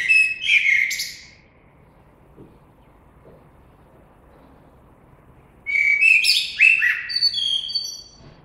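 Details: Two blackbird song phrases nearly five seconds apart, each a rich, low, flute-like warble followed by a burst of sharp, high-pitched squeaky notes; a quiet background otherwise.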